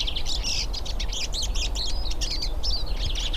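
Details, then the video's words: A group of hooded siskins singing outdoors in nature: quick, bright twittering notes with short thin whistles, packed closely into a lively high chorus. "VÁRIAS PINTASSILGO CANTANDO NA NATUREZA"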